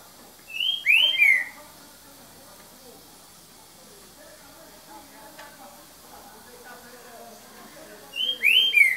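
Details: Green-winged saltator singing in the "boca mole" style, recorded at 7:38 pm on 3 January 2019: two short bursts of loud slurred whistles, one near the start and one at the end, separated by a long stretch of low background murmur.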